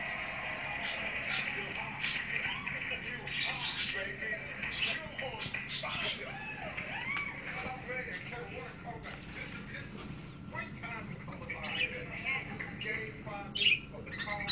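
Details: Caged parakeets playing in a tank cage chatter busily, with quick high chirps, warbles and squeaks overlapping almost nonstop, over faint background voices or television and scattered clicks.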